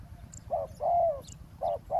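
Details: Roadside ground-trapping scene with a spotted dove giving a short coo and a long, rolling, gently descending coo, then the next short note starting, against faint low rumble.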